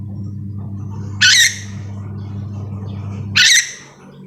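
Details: Two short, coarse screeches about two seconds apart from a nuri dora, a Sulawesi-endemic yellow-and-green lorikeet, calling over a steady background drone.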